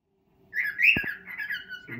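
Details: Pet cockatiel singing to its mate indoors, a short burst of chattering, warbled notes around a bright squeaky peak, with a faint low background hum.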